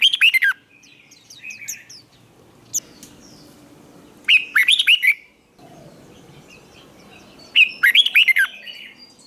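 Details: Red-whiskered bulbul in training for singing contests, giving three bursts of rapid, rolling, slurred whistles spaced several seconds apart, softer chirps and a faint hum between.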